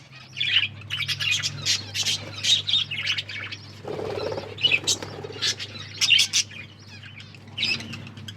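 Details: Pet budgerigars chirp while eating food: a steady run of short, scratchy chirps and squeaky notes at irregular intervals, with a brief low rustling or crunching sound midway.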